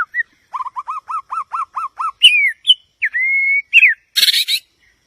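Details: White-rumped shama singing: a run of eight quick, looping whistled notes repeated at an even pace, then varied clear whistles including one long level note, ending in a short harsh buzzy burst.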